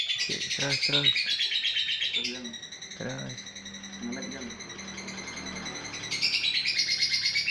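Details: Fighter lovebird in ngekek panjang style: a shrill pulsed trill opens, with a few sharp chirps mixed in, then it fades under a man's speech and returns strongly at the end.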